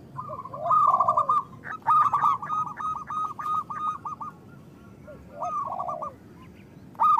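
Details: Loud-voiced local zebra dove whose song serves as a trapping lure and to coax quiet doves into singing; bursts of quick, vibrating coos run into a long rolling phrase, then a pause before another burst, over light background noise.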